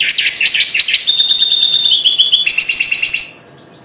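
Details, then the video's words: Four-month-old goldfinch hybrid that has just started to sing: a loud, fast run of high twittering notes and buzzy trills, rising and falling in steps, ending abruptly after about three seconds. "Mixto jilguero, 2009 Hybride de chardonneret"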